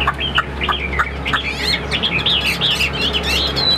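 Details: Caged fighting Chinese hwamei singing fast, jumbled whistles that climb higher as the phrase goes on, with short chattering notes early and a constant low hum throughout.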